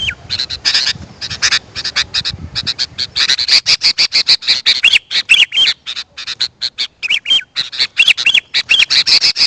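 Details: Sooty-headed bulbul calls used to attract wild birds: fast, sharp ticking chatter in bursts, with short bubbling, wavering whistles that recur several times.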